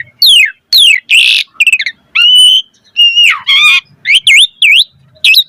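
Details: Asian pied starling singing: steeply falling whistles, raspy broadband notes, a short stutter, level whistles and several bouncy V-shaped whistled notes in quick succession.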